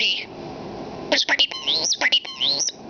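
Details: Talking pet common starling copying human words: after a brief pause, a burst of squeaky rising and falling whistles broken by clicks, speech-like in rhythm, while a person repeats short phrases to it.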